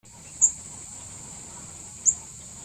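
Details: Mishmi wren-babbler calling: two short, very high, thin notes about one and a half seconds apart, set against a steady high-pitched hiss throughout.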